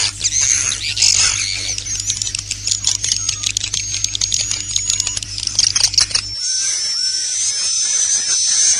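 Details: Swiftlet 'inap plus' internal lure sound, meant to draw swiftlets in to roost. Dense, high, clicking chirps and twitters run for about six seconds, then give way to a thin, steady, high whistled tone. A low electrical hum sits underneath.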